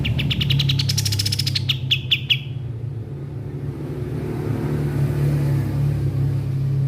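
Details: Kapas tembak (white-shouldered triller) kept as a training voice for songbirds: a quick series of high chips that briefly rise and then drop, ending after about two seconds, with a loud vehicle engine rumbling throughout.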